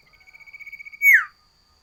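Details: Sooty-headed bulbul with a loud, varied song used to tutor common ioras and lure wild birds: a soft, fast trill of even notes building in strength, ending in one loud whistle sliding downward.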